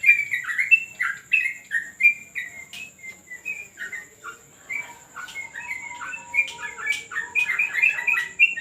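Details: Terrace training session with yellow-vented bulbul: clear, slurred chirping phrases, then a run of sharper, quicker notes punctuated by brief clicks, a faint high tone steady in the background.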